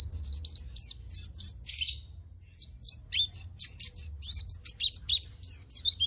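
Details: White-eye in strong, vigorous song, used as a lure and tutor song for white-eyes that seldom sing: rapid series of high, thin whistled notes, many sharply falling or slurred, in bursts with a short pause near two seconds.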